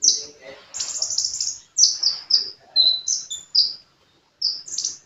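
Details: Sunbird (kolibri) singing energetically, opening with a dense scratchy trill of very high notes, then a string of sharp separate chirps, a short whistle, and more piercing notes after a brief pause.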